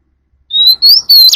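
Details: Calling to its flock, an Oriental magpie-robin with a forest-style voice gives three quick, clear whistled notes, each sliding slightly upward, with brief pauses between them.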